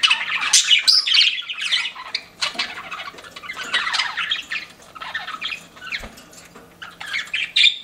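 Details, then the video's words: Pet budgerigars chirping indoors: dense, continuous chatter of squawky warbles and quick chirps, several birds overlapping with little pause, bright and scratchy throughout. "CUTE PET BUDGIES CHIRPING"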